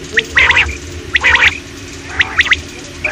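A common quail gives a sharp three-part call, one clipped note then a quick liquid double, repeated about once a second, over a low background hum.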